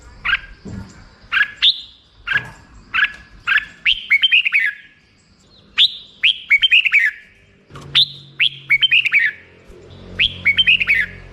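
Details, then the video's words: Black-crested bulbul singing clear, liquid whistled phrases, each a sharp upward note followed by a tumbling series of falling chirps, repeated roughly every second or two with a short pause midway; faint low rumble beneath. "suara burung merbah jambul"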